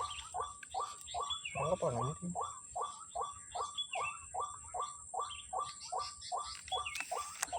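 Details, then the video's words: White-breasted waterhens, many present on a Sunday morning at Kepasar: short hoarse notes near mid pitch, repeated about two or three per second, with a brief louder rough burst near two seconds and a steady high insect whine behind. "NYANGGONG BURUNG RUAK RUAKNYA BANYAK SAAT PAGI HARI MINGGU DI KEPASAR"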